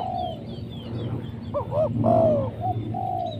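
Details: Spotted dove calling, used to lure wild doves: a few soft low cooing notes around the middle, with steady low background rumble and faint higher chirps from other birds.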